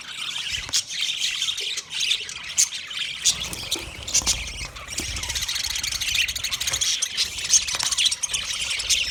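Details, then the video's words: Budgerigars chattering in a dense, continuous flock, with rapid high twittering and squeaky chirps overlapping throughout and brief louder squawks. "Natural Budgie Parrot video , Birds chirping sounds"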